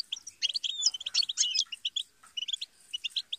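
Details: European goldfinch giving a brisk burst of bright twittering notes and a few buzzy trills, then spaced single chirps toward the end.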